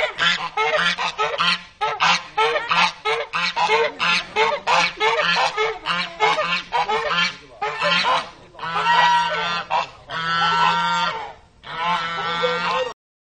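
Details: Territorial farm geese, noisy and aggressive, honking at visitors to defend the ground around the house; a rapid series of harsh nasal honks, then longer drawn-out blaring honks toward the end.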